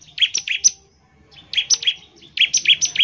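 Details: Bar-winged prinia singing to encourage other birds to call, three quick bursts of sharp, high, two-toned chipping notes with short silences between.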